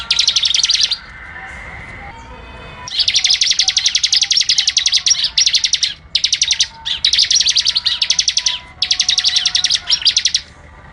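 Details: Bar-winged prinia (ciblek) song used as a master recording for training cage birds: rapid, dense bursts of high chattering notes in long runs, with short pauses between bursts and a brief lower whistled phrase near the start.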